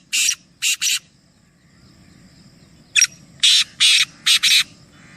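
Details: Three black francolins calling: two bouts of the harsh, rasping phrase, each a short clipped note followed by three or four broad, scratchy bursts, separated by a quiet gap with faint low hum.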